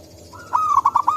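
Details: Local zebra dove in forest, a lure call: a brief purring lead-in followed by a quick run of rolling, bubbling coo notes.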